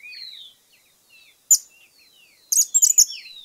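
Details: Cattle Tyrant in Argentina: thin, high-pitched notes, a faint sliding whistle, then sharp bright chirps at intervals and a short burst of rapid twittering at the end.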